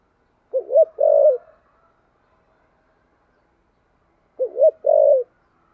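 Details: Spotted dove cooing in the 'thổ sấm' voice style: two phrases about four seconds apart, each made of quick rising hoots followed by a long, smooth, low coo. No other sounds are heard.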